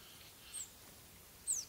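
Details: Crested tit (Lophophanes cristatus) call: two very high, thin, slightly falling notes about a second apart, over faint background hiss.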